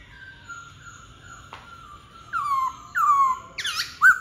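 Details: White-cheeked laughingthrush singing: a faint steady tone for two seconds, then loud bursts of rich, slurred notes with a sharp final whistle.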